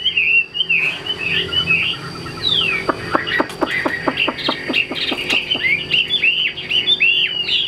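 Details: Caged Chinese hwamei singing: loud whistled slurs rising and falling, then a run of sharp clicking strokes about every third of a second, followed by more looping whistled phrases.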